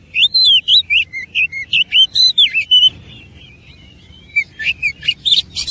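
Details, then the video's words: Kacer, or oriental magpie-robin, singing in persistent fighting style with luxurious isian fill-in: a dense stream of looping, rising and falling whistles and chirps, a short lull, then harsher chattering notes. "KACER ISIAN MEWAH NGOTOT GACOR TARUNG"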